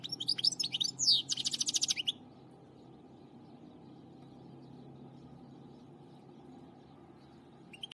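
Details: Finch twittering in a rapid burst of high chirps and a buzzy trill lasting about two seconds, then near silence with a low steady hum and one brief chirp at the end.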